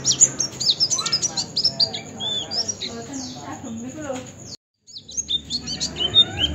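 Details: Tutor recording of oriental white-eye song for training birds: busy, high-pitched chirps and short slurred whistles in a steady stream. A brief silent gap comes near the end, then the twittering resumes.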